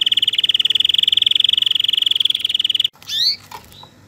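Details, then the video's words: Canary singing a long, even, rapidly pulsed trill held at one high pitch for nearly three seconds, then breaking into a few quick rising and sweeping notes. "تغريد طائر الكناري Canario 2020"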